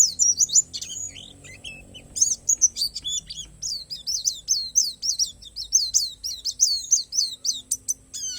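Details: Borneo palas oriental white-eye pouring out a fast, high twittering song of rapid descending chirps strung together almost continuously, with a steady faint high hum behind.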